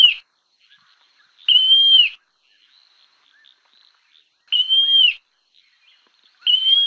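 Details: Montane nightjar, locally called malha al-ruyan, singing clear whistled notes that swell and then dip slightly at the end, each lasting under a second, spaced about three seconds apart, in a quiet background.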